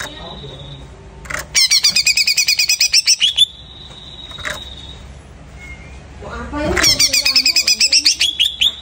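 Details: Post-moult greater green leafbird sings two runs of rapid, high chattering notes, each about two seconds long, separated by a pause with a steady thin tone and soft clicks.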